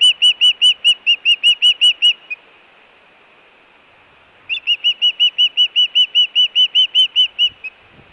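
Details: Hellgate osprey, Montana, 24 June 2017, food and alert calling at the nest. Two bouts of rapid whistled chirps, roughly eleven and sixteen notes, are separated by a two-second pause of faint hiss.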